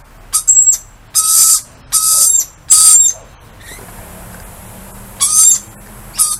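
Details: Greeting screeches from lorikeets outside: four harsh rasping calls in quick succession, a pause with a faint hiss, then two more shrill bursts.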